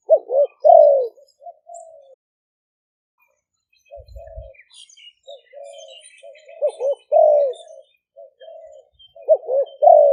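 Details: Two decoy spotted doves, Malay strain and 'phadphon' style, recorded live in Roi Et province for attracting wild doves: rounded coo phrases alternating with soft low humming coos, with a second bird answering.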